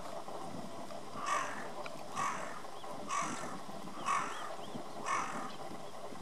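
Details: A carrion crow perched in a tree at Watarase, 16 December 2015, gives five hoarse, rasping caws, roughly one a second, over a steady low rumble of background noise.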